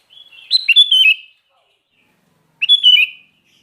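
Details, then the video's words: Sooty-headed bulbul of the kind called kutilang garuda, singing in full voice: two short liquid, warbling phrases about two seconds apart, each a quick rising-then-falling flourish, in otherwise silent surroundings. "Burung Kutilang Garuda Gacor"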